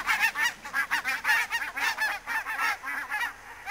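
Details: Barnacle geese in fog at Niittylahti, Savonlinna, Finland, on 2 October 2011: a flock giving dense, overlapping short yapping honks, about two per second, with no other clear sounds.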